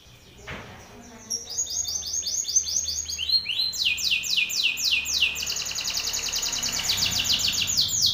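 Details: Belgian canary male singing hard at another male: a quiet opening and a brief click, then song building into long, rapid trains of high descending sweeps that grow steadily louder.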